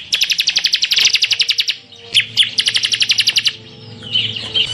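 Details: Masteran recording of a bar-winged prinia (ciblek) in semi full tembakan style: two volleys of fast, evenly spaced shrill chirps separated by a brief gap, ending in a softer twittering phrase.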